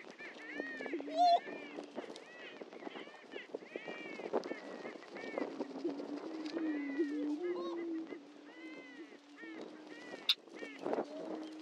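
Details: On a historic prairie lek at Dunn Ranch Prairie, Hatfield, Missouri, a crowd of greater prairie-chickens sounds off: an unbroken low moaning hum, with many overlapping arched whoops and clucking cackles throughout.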